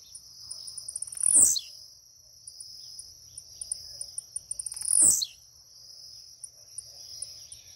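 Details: Caged Blue-black grassquit singing on waking with a leap: two brief buzzy falling notes roughly four seconds apart, separated by soft ticks, over an unbroken high-pitched whine.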